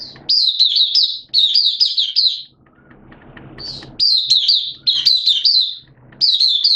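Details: Oriental white-eye kept as a hobby songbird, singing during wet, erratic weather; bright, high twittering phrases of rapid downslurred notes, each about a second long, broken by short gaps with low murmuring noise.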